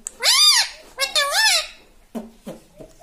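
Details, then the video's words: Talking pet parrot saying "papa": two strong, squeaky, arched syllables close together, then short faint low sounds. "पापा बोलता हुआ तोता - papa talking parrot"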